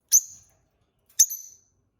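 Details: Pet peach-faced lovebird pair chirping; two sharp, very high, short chirps about a second apart, each with a quick fading tail, in a quiet room.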